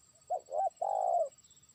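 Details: A single cooing phrase from a trained spotted dove used as a decoy, summoning a distant rival: two short rounded notes followed by one long, steady coo, with quiet surroundings.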